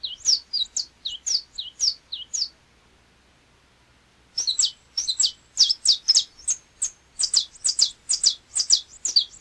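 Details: Saffron Finch, canário-da-terra, from Brazil: a burst of high chipping notes, a pause of about two seconds, then a denser, faster outpouring of bright twittered notes.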